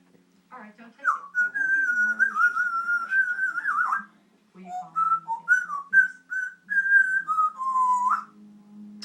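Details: A 20-year-old pet Congo African grey parrot whistling a song of its own making indoors. It gives a long, wavering whistled phrase, pauses briefly, then adds a string of short rising and falling whistled notes, with a low hum behind.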